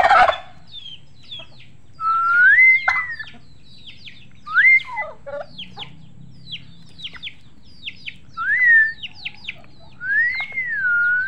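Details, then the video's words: Turkeys giving clear whistled notes that rise then level off, one every two seconds or so, with scattered short high chirps and a low background rumble. "Turkeys gobble gobble gobble"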